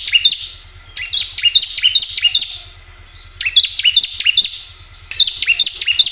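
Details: Bar-winged prinia song played to stimulate caged birds: short clusters of sharp, high notes, each followed by a longer pause, over a faint low hum.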